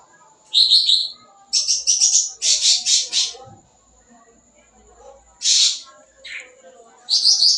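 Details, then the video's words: Sooty-headed bulbul singing busily with varied fill-in phrases, used to lure young birds; doubled whistled notes, then a run of dense scratchy high chatters, a pause, and further harsh bursts. "Suara Cucak Ranting Gacor Full Isian, Cocok Buat Pancingan Burung Bahan"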